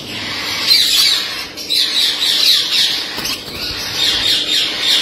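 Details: Rainbow lorikeet, blue-headed, giving a steady stream of shrill, grating screeches that overlap into a continuous chatter, swelling and fading every second or so.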